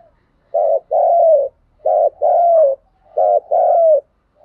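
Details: Spotted dove luring call (thúc gù): a short coo followed by a longer drawn-out, slightly falling coo, the pair repeated three times at steady intervals of about 1.3 seconds.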